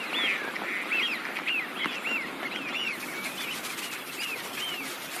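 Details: Wintering Eurasian Wigeon calling in numbers: a string of clear, high whistles, each rising then dropping in a short arch, given about twice a second by several birds over faint background noise.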